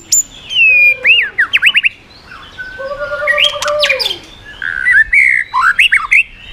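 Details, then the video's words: White-rumped shama singing in the 'yến reo' style to provoke other birds, switching voices and flicking its tail: clear whistled slurs, fast upward-sweeping trills, then long level whistles and bright rising notes separated by short pauses. "chòe lửa hót giọng yến reo,bắn dây đảo giọng đánh đuôi kích chim cực mạnh"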